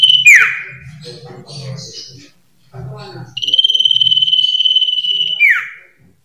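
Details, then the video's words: Common iora, locally called sirtu or cipoh, delivering lively varied song: a descending swoop, scattered soft chatter, then a long level high whistle ending in another falling slur; faint low hum throughout. "SUARA BURUNG SIRTU/CIPOH/CIPOW GACOR VARIASI"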